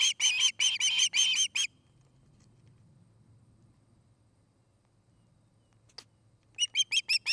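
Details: Nest-cam osprey in Charlo, Montana, 29 August 2018: a quick burst of eight shrill whistled chirps, a few seconds of near silence with one faint tick, then the rapid chirping resumes.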